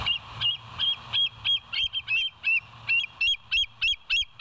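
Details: Bald eagle at the West End, filmed by a live nature cam on 07/09/2023 at 06:24, giving a steady run of high, thin, slightly rising chirped notes, about three per second, over a low background hum.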